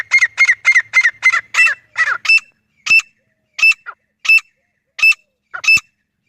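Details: Desi grey francolin (teetar), natural call recorded in a forest setting and used for hunting: a quick string of harsh squawks slows into separate, clearer notes, each about two thirds of a second apart.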